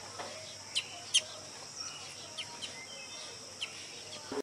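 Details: Brazilian tanager in the wild: a few sharp, high chirps scattered through a steady background hum of insects, with two louder notes close together near the start.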